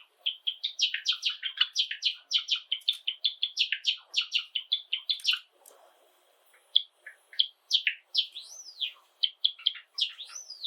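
Java sparrow singing a fast run of bell-like clicking and chirping notes, followed by scattered higher whistled and rising chirps after a brief pause.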